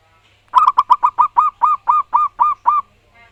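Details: A single strong run of about eleven rapid, rolling coos from a loud-voiced local wild zebra dove, the notes slowing slightly and becoming rounder toward the end.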